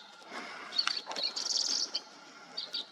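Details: Green-tailed Towhee, recorded in Texas or New Mexico, gives thin, high-pitched chips and a brief buzzy note scattered over three seconds against faint background hiss.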